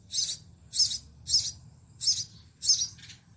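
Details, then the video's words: Sparrow chicks in a nest at a home garden, begging as their mother feeds them; high, harsh chirps in five separate bursts about every half second, with a faint low hum beneath. "How Mother Sparrow feed their chicks"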